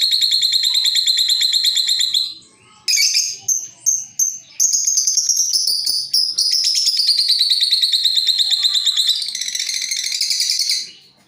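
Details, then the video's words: Lovebirds answering each other with long chattering calls, used as a lure for other birds: loud, dense, rapid high buzzy trills and twittering, nearly continuous with a few short breaks. "Saling nyaut dan ngekek panjang"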